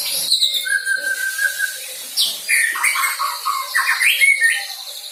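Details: Young white-rumped shama learning to sing filler material. A long steady whistle is followed by a jumble of quick upslurred and broken notes, varied in pitch.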